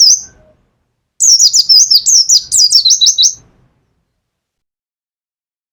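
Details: Caged mountain white-eye from Pacitan sings in nembak style: after a brief opening note comes a long, dense phrase of about fifteen quick, high, downslurred chirps lasting two seconds, then quiet.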